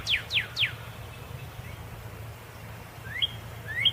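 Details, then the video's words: Red cardinal (northern cardinal) singing: three quick downslurred whistles in fast succession, a pause of over two seconds, then two more slurred whistled notes, with a steady low hum underneath. "suara burung Red Cardinal"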